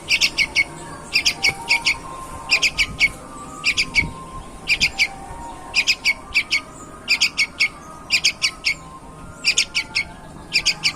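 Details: Sooty-headed bulbul, a superior young bird singing vigorously: quick clusters of three to four bright, clipped notes, repeated roughly every second with steady energy, over faint background noise.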